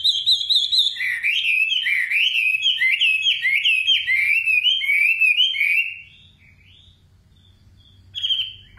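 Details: A nightingale pours out fast twittering, slurred notes for about six seconds, then falls silent before one brief whistled phrase returns at the end.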